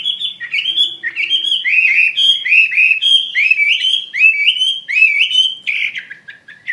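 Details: Wambi mandarin bird singing actively: a fast, continuous run of bright whistled notes, each sliding up or down, repeated several times a second with a slightly uneven rhythm and no other sounds.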